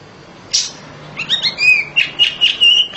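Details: Home-kept oriental magpie-robin singing loudly: a sharp high note, then a run of short whistled slurred phrases that steady into clear ringing notes near the end.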